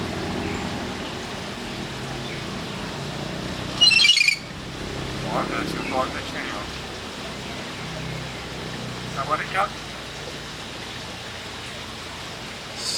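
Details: A talking myna in Thailand, recorded in the morning, imitates human speech with short voice-like phrases such as "Sawadika", "Hello" and "Mr. Speaker", spaced several seconds apart, plus one sharp high squeal over a steady background hum.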